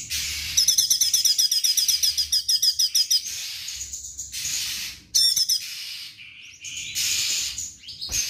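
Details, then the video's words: Straw-headed bulbul in full 'tembakan' song: a quick run of high, bright chips about three seconds long, then scattered shorter bursts and hissy noise. "CUCAK CUNGKOK GACOR TEMBAKAN HANDAL"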